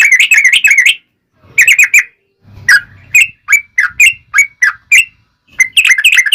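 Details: Yellow-vented bulbul song in the long rapid fighting style, played as a lure for other bulbuls. Rapid bubbly phrases are broken by short gaps, with clear whistled notes that sweep up and down.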